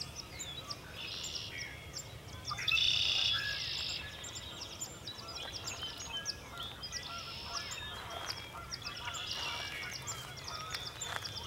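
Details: Sandhill cranes at a marsh during a cloudy sunrise: harsh, rolling, rattled calls in bursts of about a second, repeated several times, over a busy chorus of small birds chirping and twittering.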